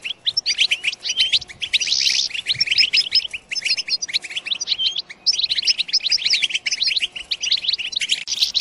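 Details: European goldfinch song played to rouse goldfinches into singing and mating, with busy twittering phrases, a brief hissy buzz near two seconds, and short pauses between bursts.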